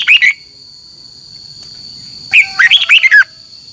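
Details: Morning fighting song of a red-whiskered bulbul used to spur birds to sing: a short chirp, a pause of two seconds, then a lively phrase of falling, slurred whistled notes, with a faint steady tone in the background.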